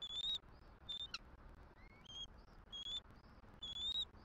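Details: Thin, piping bald eagle whistles, each held briefly and repeated about every second, from a Southwest Florida nest where the female calls her mate for a shift change.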